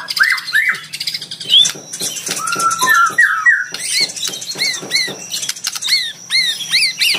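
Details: Fighter oriental magpie-robin singing to provoke a rival into song: mixed rich whistles and buzzy phrases, followed by a steady string of arched, downslurred notes repeated about twice a second with crisp clicks between.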